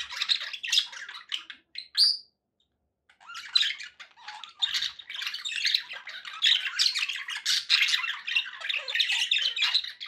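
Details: Pet budgerigars in a room: scratchy warbling chatter, a clear upswept whistle at two seconds, a one-second hush, then dense continuous buzzy chirping.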